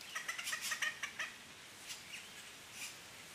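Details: Red-bellied grackle nest in the La Romera reserve, Sabaneta, Antioquia, Colombia, 2012, with three chicks being fed; rapid harsh chattering bursts repeat quickly for just over a second, then faint scattered notes over steady background hiss.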